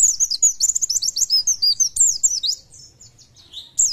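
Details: Oriental white-eye in full song: a rapid, loud twittering stream of sharp high notes, some looping and slurred, that fades into softer, sparser chirps before a final bright burst.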